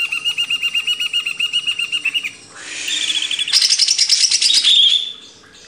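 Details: Greater green leafbird, kept caged, singing a rapid repeated chatter, then a dense buzzy stretch ending in high clear whistled notes; a master recording for training cage birds.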